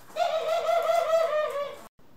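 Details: A single sustained dove coo from pet ringneck, Senegal and hybrid doves kept indoors, recorded April 25, 2021. The low, wavering note lasts nearly two seconds before it cuts off abruptly.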